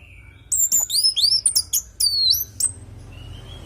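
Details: Orange-headed thrush song used to coax other birds to reply: a fast string of very high, curving whistled notes and clicks lasting about two seconds, then quiet hum.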